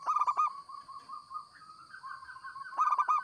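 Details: Zebra dove of local stock singing vigorously for luring: a quick pulsed coo burst, then a long wavering, gently rising cooing trill, ending in another rapid stuttered burst; a steady high whine runs throughout.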